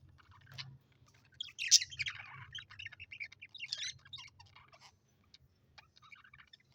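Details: Pet budgerigars, colorful Australian birds, giving a busy jumble of high chirps and warbles that swell into one sharp squeal, then thin out into scattered tweets.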